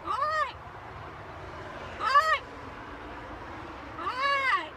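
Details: Talking macaw kept as a pet, out on a balcony, giving three separate hoarse, arching squawks spaced about two seconds apart, with quiet background between them.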